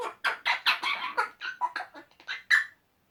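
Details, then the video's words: Male Eclectus parrots, two pets, chatting away to each other: loud rapid harsh chatter of about a dozen rasping syllables in under three seconds, ending with a sharper squawk. "Eclectus boys making silly noises"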